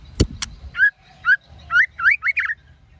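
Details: ['Female white-rumped shama calling to stimulate males to sing: two sharp clicks open, then six brisk rising whistled notes, quickening into a short jumbled flourish.']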